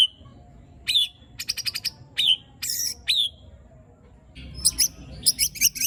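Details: White-rumped shama (murai batu) singing a coarse 'tembakan' and 'besetan' filler phrase meant to provoke other shamas: clear whistles sliding down, alternating with short, dry, buzzy pulsed bursts, then a quicker rattling run at the end.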